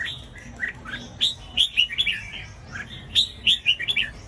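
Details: Red-whiskered bulbul song for stimulating other bulbuls to sing: a string of clear, bouncy whistled notes, some slurred upward and downward, grouped in quick phrases with brief pauses.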